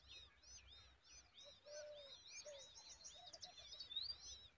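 Common Babbler chicks beg in a dense, overlapping chorus of high, arched chirps, several each second, with a lower, drawn-out note underneath.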